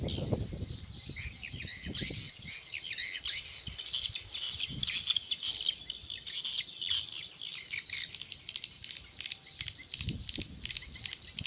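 A dense chorus of high, rapid chirps and twitters from many swiftlets overlaps continuously, with soft fluttering and low thumps beneath.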